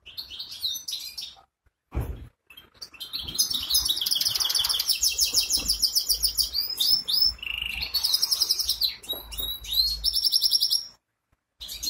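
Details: Ankara goldfinch hybrid opens with a short chirp, then after a brief knock launches into a long, tumbling warble of high trills, buzzes and clear whistled notes, ending in a short pause.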